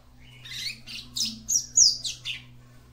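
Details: Female capped seedeater song for stimulating her mate: a rapid run of six or seven buzzy, squeaky high notes, one a sharp falling whistle, over a steady low electrical hum.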